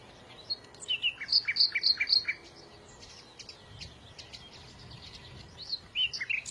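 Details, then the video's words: Small birds singing: bright, high chirps and short whistled notes in quick bursts, loudest in a run of about a dozen sharp tweets early on, then softer scattered chirps and a final cluster of rising notes. "إذا كنت تعشق سماع تغريد العصافير فلا تشتري قفزا فديو لعشاق تغريد العصافير"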